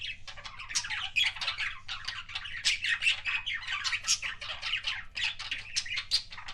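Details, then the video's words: Dense, continuous budgerigar chatter labelled as kissing sounds, with rapid raspy chirps, clicks and sharp squeaks packed tightly for over six seconds, close and loud. "BUDGIE KISSING SOUNDS"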